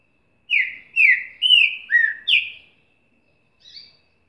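Green-winged Saltator singing a rich phrase of five loud, slurred whistles, each dropping slightly in pitch, followed by a faint soft note.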